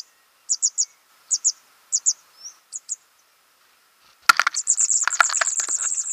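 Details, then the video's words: Nestlings being fed: paired high chips at first, then a sudden loud clatter followed by a dense, excited stream of shrill begging notes. "Fütterung von Jungvögeln"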